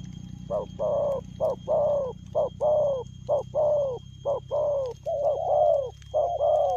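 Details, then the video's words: Rapid, fast-paced spotted dove cooing, 'lèo gù' style: about twelve short, soft, hooting notes in quick succession, some slurred downward, nearly one per half second, with a faint low hum beneath. "Nết chơi nhanh lẹ, gù tốc độ.Clip445/ Nước chơi lèo gù"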